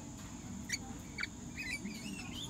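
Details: Rainbow lorikeet at the Australian Reptile Park gives two sharp, shrill chirps, then a run of thin, squeaky twittering notes, over a steady low background hum.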